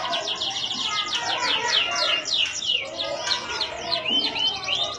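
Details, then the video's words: Canary song recorded in Indonesia: rapid, continuous trills of repeated descending whistled syllables, about three per second, shifting between phrases, over a busy low background. "CANARY SINGING - serinus canarina"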